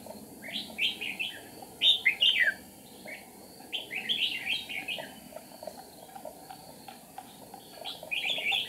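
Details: Red-whiskered bulbul used as a decoy during trapping on 8 April 2019, singing to provoke wild rivals: bursts of bright, warbled whistled phrases in short groups separated by pauses, over steady background hiss.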